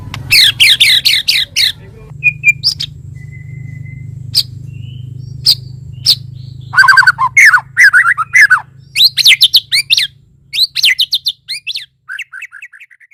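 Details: Morning lure song of a white-rumped shama, with bursts of sharp, high chirps, scattered single whistles and clicks, then rapid rich phrases of falling notes, ending in a short series of soft descending chips over a low hum.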